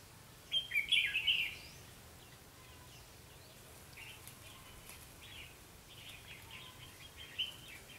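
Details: Trapping-session decoy red-whiskered bulbul, recorded 21 October 2016, singing a challenge: one loud burst of rapid chattering whistles early on, then fainter warbled notes, over steady background noise.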